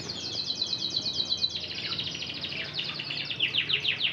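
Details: Red Intense canary trained in Spanish Timbrado song delivering fast rolling trills, a steady buzzy roll giving way to looser, swinging note series, bright and continuous over faint background hiss.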